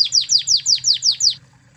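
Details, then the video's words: Spanish Timbrado canary from Spain, a master recording for training other canaries: seven bright, descending metallic notes delivered about every 0.17 seconds, then silence. "Masteran Kenari Spanish Timbrado Ori Spanyol"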